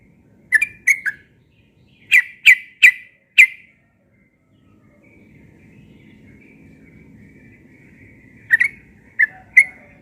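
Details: Yellow-vented bulbul singing in the morning in the persistent ropel style: two short bursts of bright chirped notes, then a quiet gap with faint low rumble, and a final trio of sharp notes.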